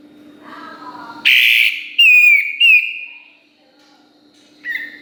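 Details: Master song of an olive-winged bulbul (kapas tembak) for training songbirds: a few strong, clear whistled notes sliding downward, then a quiet gap, with a faint low hum and soft murmur beforehand.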